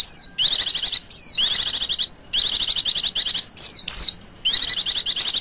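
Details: Lure call of a female Oriental white-eye: loud, fast-pulsed high trills lasting about a second each, alternating with short sliding whistles that drop in pitch, repeated steadily with brief gaps.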